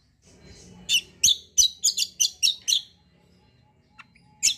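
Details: Kecial kombo white-eye, a loud fighter-type singer, giving about eight loud buzzy chips in quick succession, then a pause and one final chip, over a faint low hum.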